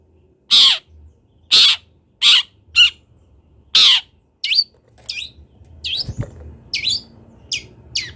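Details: Speckled young long-tailed shrike from Kendal learning its song: several loud harsh notes spaced about a second apart, giving way to thinner, fainter upslurred whistles over a soft background rumble.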